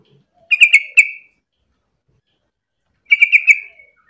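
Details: A Yellow-vented Bulbul sings as a lure to set other bulbuls calling, giving two short, bubbly, chattering phrases of mid-high notes about two and a half seconds apart, with quiet in between.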